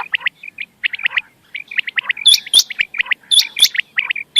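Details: Quail calling, played to draw birds for night hunting: bright clipped chirps in fast pairs and triplets, mixed with shrill high ticks. Irregular bursts with little pause between them.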